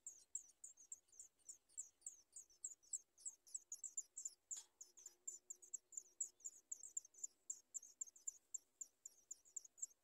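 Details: Nestling sooty chats begging for food, giving rapid, sharp, very high squeaks in an unbroken series of almost four per second, with a brief soft knock midway.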